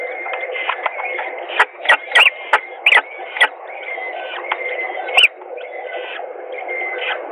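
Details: Peregrine falcons feeding at a nest in Gdynia, Poland, on 17 April 2021 around midday; rapid series of sharp high chips and squeals mixed with thin whining notes over a steady hum.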